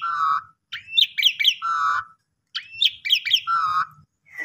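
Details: Pumping-style lure song of an Asian pied starling, used to coax quiet or stressed birds into song: a flat buzzy note, a rising whistle and three sharp looping notes, with the phrase repeated after short silences.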